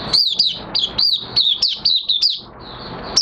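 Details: Oriental white-eye (mata puteh) in minor moult, in open song, recorded 3 June 2022: about eight shrill, downslurred chirps in quick succession, then a pause and one final high note.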